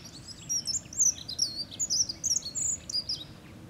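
A dunnock sings a hurried, thin, high warble of squeaky jumbled notes, running for about three seconds with no clear pauses, over a faint low background hum.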